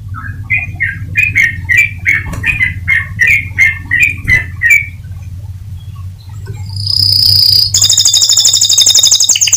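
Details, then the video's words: Atlantic canary song meant to stimulate other canaries into singing: evenly repeated short chirps about three per second, then a sudden very fast high rolling trill, a low hum throughout. "Suara Burung Kenari Untuk Memancing Kenari Agar Tetap Gacor."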